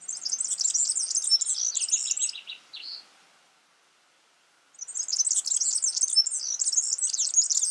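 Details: Wild yellow-fronted canary pouring out a quick, high twittering song, then a short series of lower repeated notes, a pause of about two seconds, and another rush of rapid chirping warbles.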